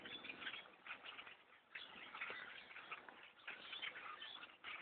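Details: Thousands of blackbirds overtaking a bow hunter's trees, a continuous wash of chattering calls that swells and fades in waves, possibly with wingbeats.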